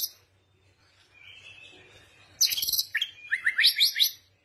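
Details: Bird song with a soft wavering phrase followed by a loud burst of very high chatter, then several quick rising whistled notes in a lively sequence.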